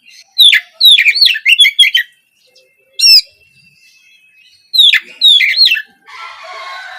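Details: Spotted 'trotol' Oriental magpie-robin, an untrained bird, singing in the morning as a lure to prompt other birds to sing. Loud, clear whistled phrases with sharp sweeping notes come in two bursts, separated by a lone note, ending in a faint hiss.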